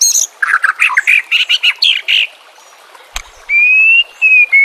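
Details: Captive-training White-rumped shama song with full combination fill: harsh, buzzy chattering notes in a quick series, a sharp click, then a long clear whistle rising slightly and ending with short whistled notes.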